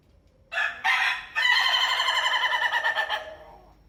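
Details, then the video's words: Rooster crowing: two short harsh opening notes, then a long loud drawn-out crow with a wavering, pulsing tone that fades at the end. "Bermacam-macam suara ayam berkokok"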